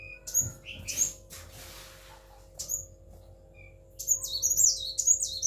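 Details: Kept kolibri wulung sunbird, said to be tail-less. A few scattered high chips and a short whistled note build into a quick, high twittering phrase at the end, over a faint low hum.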